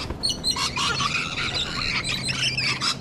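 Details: Sulphur-crested cockatoos filmed at a feeding spot in Sydney, Australia, alongside rainbow lorikeets: harsh, raspy screeches with layered overtones follow one another without pause for three seconds, with higher chattering calls mixed in.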